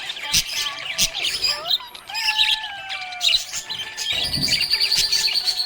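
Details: Cheerful budgerigar giving busy, scratchy chirps and bright tweets in quick succession, while music plays softly in the background.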